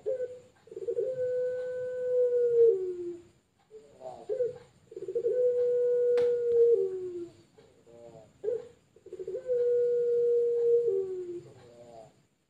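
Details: Champion-line puter pelung competition dove from Sragen, Indonesia, giving three drawn-out, level, humming coos, each about two seconds long and sliding down at the end. Each is preceded by short rolling notes, with brief pauses between phrases.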